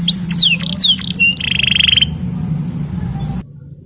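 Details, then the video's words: Canary singing played to push a canary that stopped singing into steady song; quick slurred notes lead into a buzzy trill, then thin high tones over a low background drone. "BIKIN KENARI STRES MACET BUNYI JADI GACOR | CANARY SINGING"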